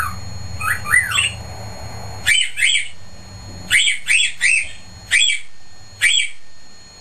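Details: Cockatiel, a male kept in a cage, opening with a couple of rising whistles before loud, harsh squawking chirps repeated irregularly about once a second, with a low rumbling hum underneath at first.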